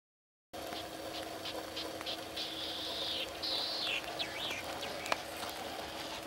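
Latham's snipe gives a few high, buzzy notes, one drawn out and then falling, then short quick slurs, over a steady low engine-like hum.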